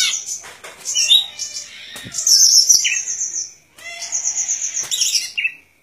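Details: Golden-fronted leafbird song of high buzzy trills and a descending slurred note, a brief silence, then another rapid trilled phrase.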